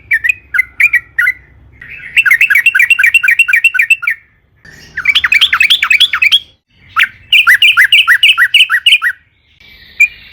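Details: Sooty-headed bulbul singing in the long rolling style meant as a lure: separate bursts of fast, wavering trilled notes, each lasting one to two seconds, divided by short silences over low hum.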